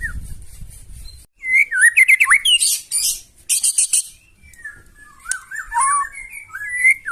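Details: White-rumped shama giving loud, harsh song meant to provoke other birds into replying: a burst of varied rising and falling whistles, then rapid rough chattering notes, followed by slurred whistled phrases after a short pause; low rumble at the start.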